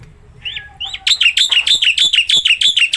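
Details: Black-winged myna in full song, used to encourage a mute myna: two rising whistles, then a fast steady series of harsh, buzzy notes, roughly three per second.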